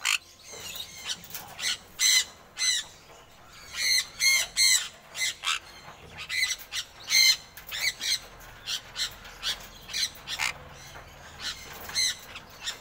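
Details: A semi-adult sun conure gives loud, harsh, shrill screeches, repeated in quick bursts.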